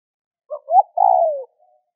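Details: Spotted dove call for stimulating other doves to call: one phrase of a brief note, a rising hoot and a long falling burry coo, with a faint soft tail afterward.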